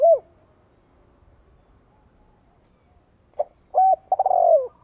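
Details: Spotted dove decoy calling to get wild doves to respond: a hollow falling note at the start, a long quiet gap, then a short pip, a level coo and a trembling coo that slides downward.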